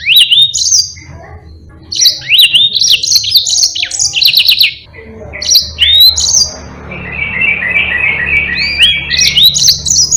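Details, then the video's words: Yellow-fronted canary performing a long continuous song for training other songbirds: a dense series of high whistled slurs and sharp notes, shifting into a lower rapid rattling trill that runs several seconds. "Burung Mozambique GACOR NGEROL PANJANG"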